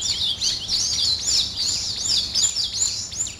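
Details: Morning birds calling: high twittering, then a run of clear arched whistled notes, each rising and falling, repeated about three times a second.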